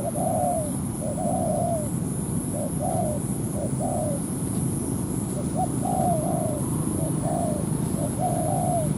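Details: ['Spotted dove used as a ground decoy to lure a wild dove into fighting. Series of two-note coos, a clipped lead note and a longer falling slur, come in irregular bursts across the recording over steady low noise and a high whine.']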